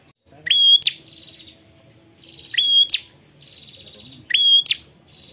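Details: A prinia calling to a rival, repeating a high phrase about every two seconds: a clear whistle rising and holding steady, a sharp upward flick, then a dry buzzy trill.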